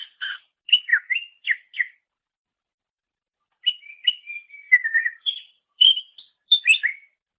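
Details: Greater green leafbird master song used to train songbirds: bursts of chirped and whistled notes, a pause of almost two seconds, then more varied whistles and sharp chirps.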